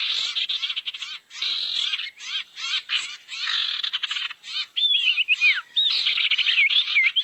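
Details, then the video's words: Barn owl calls used as a lure to gather owls: repeated coarse hissing screeches in uneven bursts, later joined by wavering whistled notes that rise and fall. "SUARA PIKAT BURUNG SIRTU NGUMPUL"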